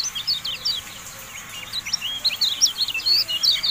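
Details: Javan white-eye (kecial kuning) used as tutor audio: an unbroken chatter of high, squiggly, sliding notes, uneven in rhythm and brightest near the end.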